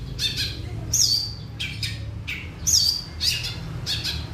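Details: Long-tailed shrike singing: harsh, squawky bursts mixed with a quick, high, down-slurred whistle, heard twice, in irregular phrases over a steady low rumble.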